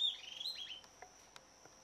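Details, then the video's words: Southern antpipit, a small, discreet bird of dark, humid forest. A quick run of high, thin whistled notes, some slurred downward, fades within the first second over a steady, high-pitched drone and faint clicks. "Corythopis delalandi, estalador, Southern Antpipit"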